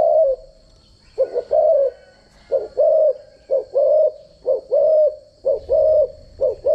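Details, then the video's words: Spotted dove decoy bird for daily voice training. After an opening coo it repeats quick two-part coos, a short accented note followed by a longer level one, about one per second. A thin high whine persists in the background. "chim cu gáy mồi giọng gáy chuẩn dùng luyện giọng chim cu gáy mỗi ngày"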